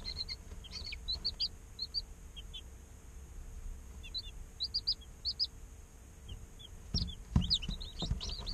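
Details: Day-old baby chickens peep in scattered bursts: clusters of bright, brief chirps, a quieter stretch of a second or two, then a busier flurry near the end with a few soft knocks and bumps.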